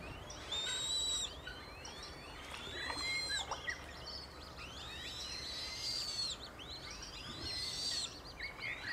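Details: Eurasian coot family with five chicks in Beverwijk, the Netherlands: thin, high, rising and falling whistled notes from several callers overlap irregularly, some arching upward, over a steady low background hiss.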